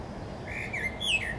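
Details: A Common blackbird singing from a treetop gives a brief phrase of a few mellow, fluting whistles that slide gently down, then rise, over a low background hum.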